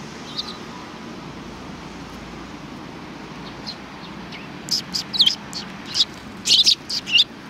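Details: Sparrows recorded 22 December 2018 give bursts of short, high chirps that cluster thickly in the second half, after a few scattered quiet chirps, over a steady low background hum.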